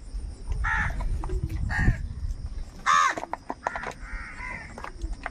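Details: Crows calling angrily over food: a handful of hoarse, nasal caws spaced about a second apart, one louder and harsher than the rest, over a rumbling low background.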